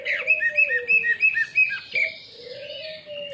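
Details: Lure song of a greater green leafbird, meant to set other birds singing: a quick series of bright whistled notes repeated about five times a second, each dipping downward, over a low continuous tone.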